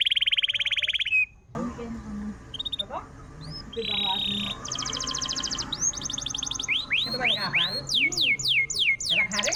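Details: Canary song played to coax a stalled canary back into song. Mixed buzzy trills and scattered whistles, with a rough noisy stretch, end in a run of quick sweeping high notes.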